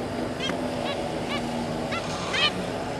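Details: Zebra finch pair with three juveniles, 26 May 2022: about five short nasal beeps, evenly spaced roughly every half second. A steady hum and broad background noise run underneath.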